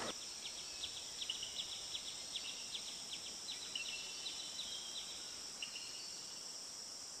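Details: Blue-and-yellow tanager singing: a quick run of thin, high, downslurred notes, tumbling rapidly for several seconds, over a steady loud insect drone.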